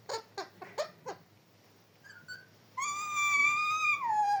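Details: A pet parrot indoors gives five rapid clipped voice-like syllables, a soft pause with faint tones, then a long steady harmonic whistle-like sound that drops in pitch at the end.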